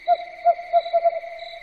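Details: Five quick owl hoots at night, evenly pitched and closely spaced, with the last two nearly run together, over a constant high background drone.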